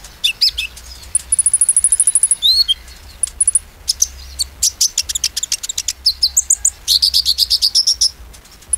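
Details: Sunbird in 'nembak' mode, singing to rile up rival sunbirds: a long, very high rapid trill of even ticking notes, a down-slurred whistle, then dense chattering bursts and another fast buzzy trill near the end.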